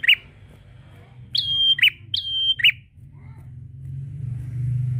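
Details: Prinia song aimed at a rival: one lower twangy note, then two phrases of a sharp click, a flat high whistle and a dropping buzzy note, followed by low vehicle-like rumble.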